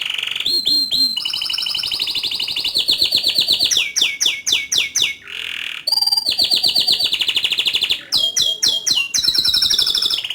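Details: Canary pouring out loud, continuous song: rolling trills, rapid rattling bursts and short whistled sweeps alternating without a break.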